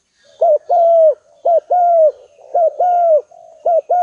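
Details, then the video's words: Spotted dove, a lure bird, calling in full voice to draw rival doves: mellow low coos in pairs, a short note then a longer level one with a falling end, repeated about once a second in a quiet setting. "TEKUKUR MAHAL ~ SEKALI GACOR LAWAN BERDATANGAN"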